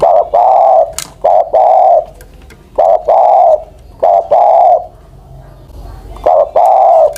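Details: Decoy spotted dove more than ten years old repeating short-long coo phrases, four in quick succession, each a clipped note leading into a full mellow coo, with quiet gaps between.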